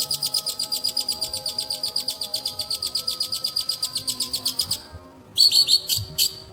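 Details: Long-tailed shrike (pentet) holding a long, even trill of fast high chips for nearly five seconds, then after a short pause a few loud whistled and buzzy notes.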